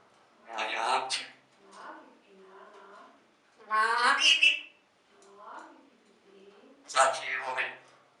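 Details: A pet grey parrot talks in Slovak in loud, bright, voice-like phrases roughly every three seconds, with softer mumbled sounds in between, in a quiet indoor room.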